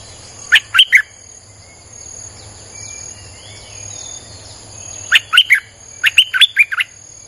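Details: Streak-eared bulbul lure song: a short triple chirp, a pause filled with faint twittering, then two livelier bursts of six to seven sharp, bubbling notes, with a continuous high insect drone behind.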